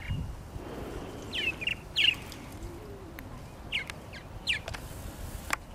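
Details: Purple martins around their nesting gourds at Lake Mackintosh in Gibsonville, North Carolina, call in scattered pairs of scratchy chirps separated by pauses, against a soft outdoor background.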